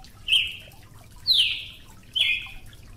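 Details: Brazilian tanager giving three sharp notes, the middle one a louder downslurred sweep, about one per second.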